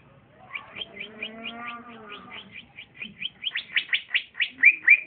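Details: Green leafbird (cucak ijo), a young trotolan male described as singing well and boldly when set beside others. Quick repeated upswept chirps, about four per second, over a lower buzzy droning tone, growing louder toward the end.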